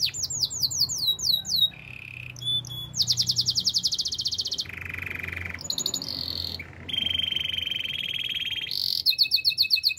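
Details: Canary song used for training, built from rapid changing tours: falling sweeps, low rolling trills, buzzy rattles and steady high trills, switching every second or two with brief gaps, plus faint low hum beneath.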